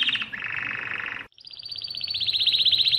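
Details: Mosaic canary delivers a low rolling trill, a brief silence, then a fast high chattering trill that grows louder.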